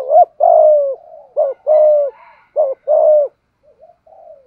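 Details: Malaysian-type spotted dove cooing thúc gù style. Three quick phrases each pair a sharp rising note with a longer steady coo, followed by a few soft murmured notes. Faint higher chirps are heard in the background.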